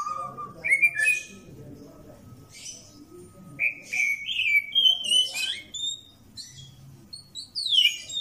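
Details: White-rumped shama, a caged bird undergoing mental training, sings scattered clear whistles and sliding, rising notes with short bursts of chatter. A low murmur of voices and room noise continues underneath.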